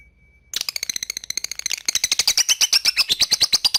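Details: Lovebird ngekek chatter bursts in after a thin steady whistle. Rapid harsh notes run close together, then grow louder and fuller after a brief break. From a training recording for young lovebirds.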